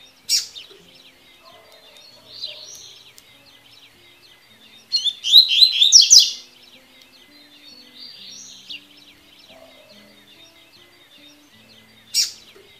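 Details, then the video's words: Double-collared seedeater singing the tui tui style of song, used for training birds to learn and open their song; bright, high twittering phrases in short bursts, a dense rapid trill near the middle, and sharp separate chirps at the start and end. "CANTO DO COLEIRO TUI TUI PARA TREINAR E ABRIR CANTO"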